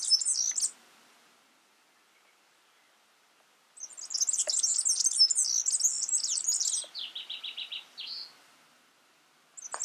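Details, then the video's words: A yellow-fronted canary sings in the wild: a rapid, high twittering run of sweet notes ending in a string of buzzy repeated trills, with short bursts before and after. "Suara burung Mozambik gacor di alam"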